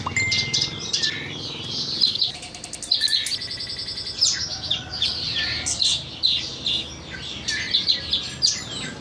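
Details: Horsfield's bush lark song used as a tutor recording for training birds. A steady whistled note opens into busy high chirps and twitters. A brief stuttering mechanical-sounding rattle comes in the middle, then fast chirping bursts resume.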